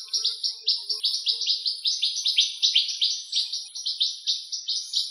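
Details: Possibly a western rock nuthatch (identification uncertain) in Greece gives a loud, rapid series of sharp, downslurred whistles, about five notes a second, run together into a long ringing trill, apparently its song.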